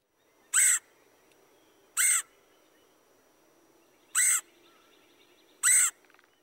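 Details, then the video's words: Red-headed Woodpecker uttering its raspy, high-pitched 'queer': four short, harsh, evenly loud notes spaced irregularly, one to two seconds apart, with near silence between them. "remember the raspy high-pitched queer of the red-headed woodpecker"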